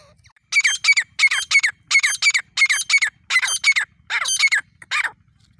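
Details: Grey francolin in jungle giving a loud rasping call of paired harsh notes, about eight pairs delivered in steady succession over a quiet background.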